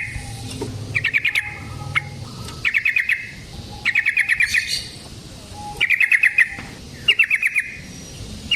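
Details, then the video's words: Yellow-vented bulbul (trucukan) used as a lure for trapping, giving brief rattling bursts of rapid repeated notes separated by pauses, with a low background hum. "Suara Burung Trucukan GACOR ROPEL Panjang Ampuh Untuk PANCINGAN TRUCUK Bahan dan PIKAT TRUCUK"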